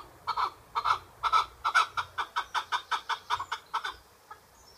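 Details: Chukar partridge uttering a loud series of clucking chuck notes at an even pace, about three a second, that speeds slightly, then ends abruptly before quiet at the close.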